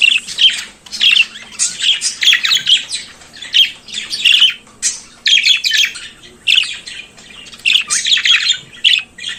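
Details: Morning song of a pet budgerigar: a long run of rapid chattering phrases mixing sharp squeaks, clicks and buzzy notes, repeated in quick bursts about every half second.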